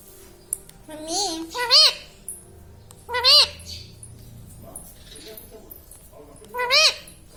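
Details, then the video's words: Indian ringneck parakeet, a talking pet, giving laughing sounds: three loud bursts of wavering, ringing harmonic notes about one and a half seconds apart, with a low hum in between. "Hasne Wala Tota || laughing mitthu"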